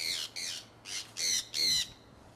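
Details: Harsh conure squawks from a pet flock getting out and flying in Iowa, early spring 2003. There are five rasping screeches, each about a quarter second long, in an uneven rhythm, separated by short quiet gaps.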